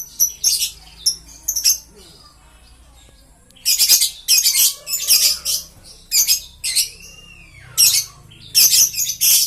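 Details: Green-coloured lovebirds give sharp, piercing squeaks and chirps in clustered bursts. A quiet gap falls near the start, then the shrill calls return in quick succession.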